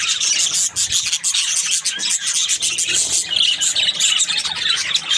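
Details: Happy budgerigar giving rapid, gritty chirps and twittering, fast and scratchy with small clear whistled notes mixed in.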